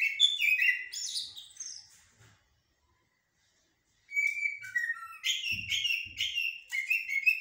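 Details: Blackbird song in 'blacksmith' and 'military' styles: a lively burst of high, varied chirps and whistles, a silence of about two seconds, then a second run of rapid repeated notes, with faint low knocks.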